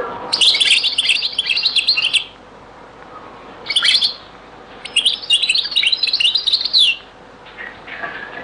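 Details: European goldfinch singing the Beni Messous 'les avocats' (zaboka) song style in a very old recording: dense, rapid bursts of high tinkling twitters and trills lasting one to two seconds, separated by short pauses.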